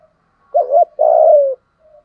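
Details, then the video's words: Spotted dove decoy call in the deep 'giọng thổ' style, meant to draw wild doves in quickly: a brief wavering coo, then a drawn-out low hoot that sinks at the end, with a faint trailing note. "Tiếng chim cu gáy kích bổi nhanh nổi hiệu quả"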